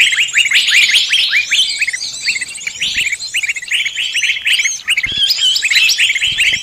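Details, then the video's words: Lure sound for trapping birds of every type: quick, high chirps and looping whistled notes crowd together, loud and continuous, with a faint low thump now and then. "Pikat burung semua jenis terampuhhh"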